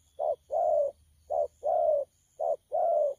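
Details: A young wild-caught spotted dove coos in 'thổ pha' style on 12 October 2019: three clear pairs of a short note followed by a longer falling coo, evenly spaced about a second apart.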